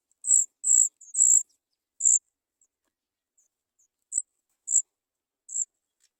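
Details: Three Sooty chat nestlings waiting for food beg with very high, thin, hissy notes: four quick bursts in the first two seconds, then single calls spaced about half a second to a second apart, on a silent background.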